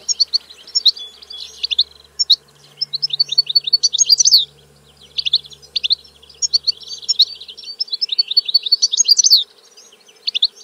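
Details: European goldfinch singing a fast, liquid run of twitters, trills and tinkling notes in long bursts broken by short pauses, with a faint low hum in the background.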